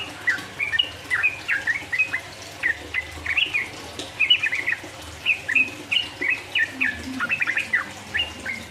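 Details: Sooty-headed bulbul singing to provoke rivals, rapid 'ropel uplik uplik' style: groups of slurred, upward and downward chirps in short bursts separated by brief gaps, with light background noise.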